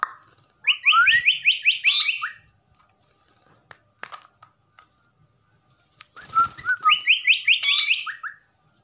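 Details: Common myna kept as a pet, whistling quick strings of rising notes with harsh rasping bursts between runs; faint clicks and rustling in the quiet middle stretch.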